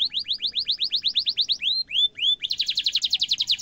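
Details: Canary song for training young canaries, a long sharp roll: rapid rising chirps repeated about four per second, a few longer upswept whistles, then a dense fast trill, with faint low background hum.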